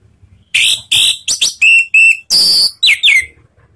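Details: Orange-headed thrush song used as a lure to trigger singing: loud, high whistled and slurred notes in quick bursts, some with sharp downward sweeps, about eight phrases in under four seconds.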